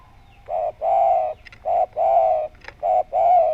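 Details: Spotted dove calling steadily, its round voice meant to lure other doves into calling: pairs of low hollow coos, a short note then a longer one, repeated three times in quick succession.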